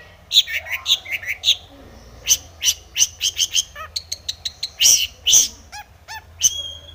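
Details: Lively long-tailed shrike song, described as full of fill and meant to provoke silent shrikes into singing. It runs as a busy string of varied high chirps, short buzzy notes and quick rattled trills with little pause between.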